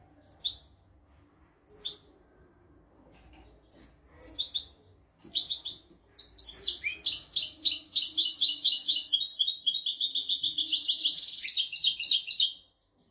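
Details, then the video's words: European goldfinch song from a tutor recording for teaching goldfinches and canaries: several isolated sharp high calls at first, then a long continuous stream of fast, jangling, twittering notes lasting about six seconds. "تغريد طائر الحسون ملكي حفاضة لتعليم طيور الحسون والكناري بدون أخطاء"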